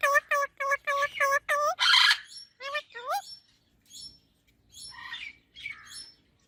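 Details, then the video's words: Parrot delivering a rapid run of evenly spaced, nasal honking calls, a harsh rasp, upward-slurred notes, then softer, thin high squeaks and chatter. "Talking Parrot Natural Sounds"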